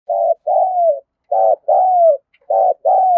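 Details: Spotted dove cooing vigorously to stir newly caught doves into calling. Three paired phrases: a short, throbbing burst followed by a longer, smooth coo that slides gently downward, with brief silences between pairs.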